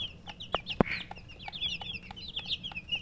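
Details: Chirping of domestic chicken chicks: a busy stream of high, quick falling peeps from several birds, broken by a few knocks and a soft lower rasp.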